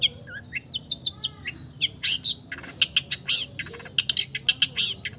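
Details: Varied mimicry from a long-tailed shrike, reputed to copy every kind of bird: a dense jumble of harsh chattering bursts, thin high chirps and short whistled slurs.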